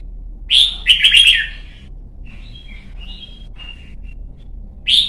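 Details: Young red-whiskered bulbul of the white-cheeked type, training for competition song: one loud rising note and rapid bubbling phrase, then soft scattered chirps and a new phrase starting at the end, over faint hum.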